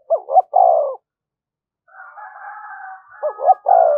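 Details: Spotted dove in thúc gù style for luring wild doves: paired short notes and a falling coo, a steady background coo from another dove, then the phrase again.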